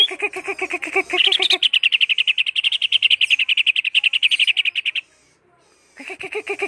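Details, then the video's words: Greater green leafbird producing a sustained, fast, regular trill of chattering notes that climbs into a higher, thinner run for several seconds, stops, then resumes lower. "burung cucak hijau"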